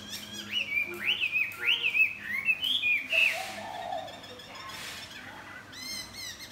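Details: Chinese hwamei flapping its wings and singing to greet the morning: loud, rich whistled phrases sliding up and down, several swooping notes in quick succession, then a quieter pause with a softer low warble and a final high burst.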